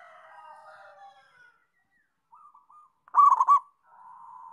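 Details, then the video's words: Local zebra dove delivers a single loud, rapid rolling coo phrase, set against quieter overlapping coos and murmurs from other doves at the start and end. "Perkutut Lokal Gacor"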